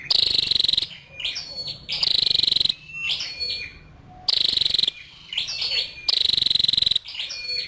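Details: Female scarlet-backed flowerpecker giving loud, buzzy high ticking trills about half a second to a second long, separated by softer thin whistled notes, the pattern repeating roughly every two seconds.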